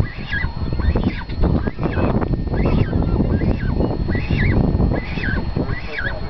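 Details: A cormorant chick gives thin, wavering, rising squeals, about one every second, over heavy low rumbling wind noise, while its mother feeds it.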